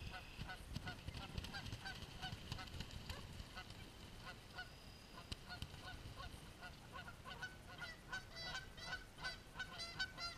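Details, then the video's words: Several geese fighting, giving harsh nasal honks throughout, with sparse calls early on that become rapid and overlapping in the last few seconds, over a steady low rumbling background noise. "Fighting Geese"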